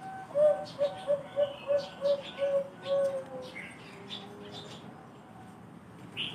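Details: Zebra dove of the Bangkok type, its voice described as special, thick and much sought after, gives a quick series of seven soft mellow coos at an even pitch, ending in a slightly longer note, with light chirping from other birds in the background.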